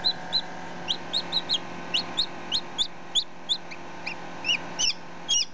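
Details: Two baby chicken chicks close up, one hatched ten minutes earlier and the other a day old: rapid, high, chirpy peeps, some short and sharp, some slurring downward, coming irregularly about three per second over a faint hum.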